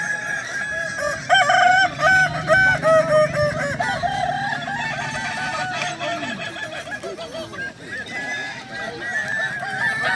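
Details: At a Kukuak Balenggek rooster singing contest in Danau Bawah, Sunday 6 October 2024, many cocks crow together. Loud, bubbling, multi-syllable crows rise and fall in quick steps, then fade into a softer background chorus with a low hum underneath.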